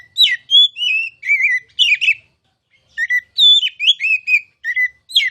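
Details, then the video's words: Oriental magpie-robin, called kacer, a prospective contest winner, gives sweet whistled notes and twisting warbles in two lively phrases with a short gap. "KICAU MASTERAN KACER CALON JUARA!!!"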